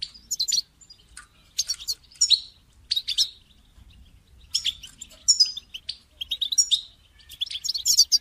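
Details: European goldfinch call meant to motivate a caged bird to sing, heard as rapid, high tinkling twitters and buzzy chirps in irregular clusters separated by short gaps.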